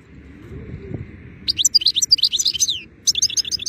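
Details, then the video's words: European goldfinch in pleasant weather: after a quiet start with low rumble, a lively run of high, tinkling, twittering notes begins, pauses briefly, then resumes. "Gūzel havada şarksını sergileyen saka kuşu"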